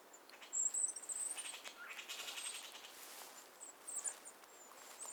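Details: Canada jay alarm calls on a frosty hoarfrost morning, signalling a predator (lynx) nearby: thin, very high whistled notes, then softer harsh, rasping bursts, over a quiet outdoor hush.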